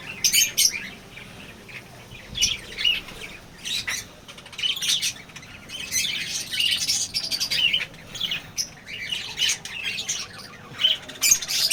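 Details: A lovebird colony with young birds keeps up shrill, rasping chirps and squawks in uneven bursts, several overlapping, with short pauses between the louder groups.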